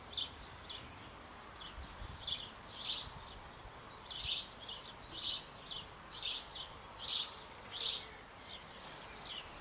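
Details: Nestling sparrows being fed in a Bavarian birdhouse on an old apple tree shortly before fledging; repeated bright chirps, growing louder and more regular, about twice a second.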